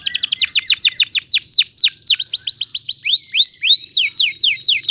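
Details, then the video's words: Loud canary song used as a lure for canaries that have stopped singing: a fast series of sharp down-slurred whistled notes repeated about four times a second, varying in pitch, with a few upward-curving notes mixed in. "PANCINGAN BURUNG KENARI GACOR ADA JEDA"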